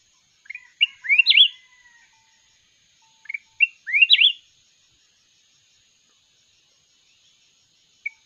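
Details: Red-whiskered bulbul from the wild in a singing contest, short sweet phrases of rising and falling whistled notes repeated about every three seconds with silent gaps between.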